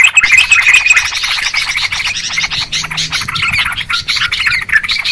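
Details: Yellow-vented Bulbuls calling noisily in a clear recording used to lure birds for trapping: a continuous, busy mass of rapid chattering notes with short whistled strands woven through, with no pause throughout.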